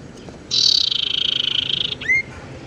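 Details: Tailorbird lure sound used for trapping or for prompting a bird that has stopped singing: a loud buzzy, rapidly pulsed trill of about one and a half seconds, followed by a single upslurred whistle.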